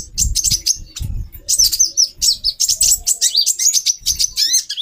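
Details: Captive female brown-throated sunbird whose calls are meant to stir a male into breeding condition: rapid high-pitched chips and thin rising twitters packed together, with soft low knocks in the background.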